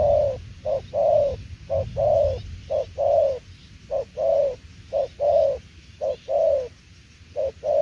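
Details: Spotted dove's 'đồng tiểu liên nước' coo: hollow, low-pitched short and long notes in alternation, the longer ones dipping at the end, a pair about every second, with brief pauses between runs.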